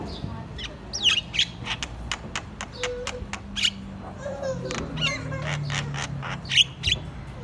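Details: Javan myna with white eyes in loud chattering song, a dense series of short grating squawks and scratchy bursts with a few brighter clicks, steady hiss and low murmuring behind.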